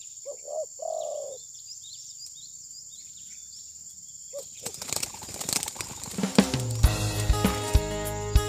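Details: Spotted dove used as a decoy in bird trapping in Indonesia, an older bird reluctant to strike its rival, possibly moulting; recorded on a phone. A few low, hollow coos in the first second and a half, then rustling, clattering and loud noise.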